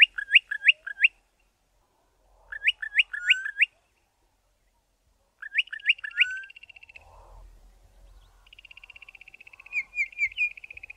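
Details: Bokmakierie pair duetting in Southern Africa: bursts of rich, ringing whistled notes in quick runs of three or four, followed by a sustained buzzy churring phrase.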